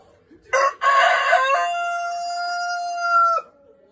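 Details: A Blue Laced Red Wyandotte rooster on an off-grid Canadian homestead crows loudly during a morning foot soak for a sore foot: two harsh opening bursts, then a long, steady, drawn-out final note.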